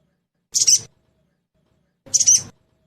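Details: Trotol-style sogon (crested jay) sound played as a lure to prompt quick singing: two short, harsh, scratchy bursts about one and a half seconds apart, with silence between.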